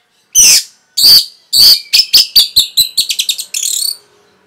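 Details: Training song of Orange-headed thrush for caged birds: three loud separate shrill notes, then an accelerating series of short clipped chirps, ending in a sustained buzzy rattle.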